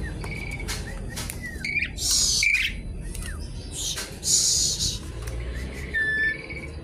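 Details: Javan pied starling singing a busy, noisy song with borrowed phrases as it seeks a rival: short whistles and down-slurred notes broken by loud hissy rasping bursts, over a low background hum.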